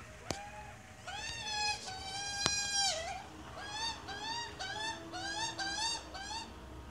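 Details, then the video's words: Australian magpie with chick: two sharp clicks early on, then a quick, uneven series of short, rasping, harmonic calls that continues to the end. "Australia magpie and chick"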